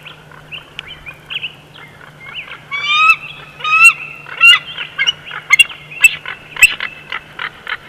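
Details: Bald eagle at the Big Bear Valley nest on 12 June 2021, chortling: faint, rough notes build into a run of high, rising, overtone-rich chirps about every half second, with a steady low hum underneath.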